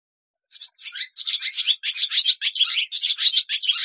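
Barn swallow twittering: a fast, continuous run of high, scratchy chirps and warbles, about two notes a second, with no other sounds.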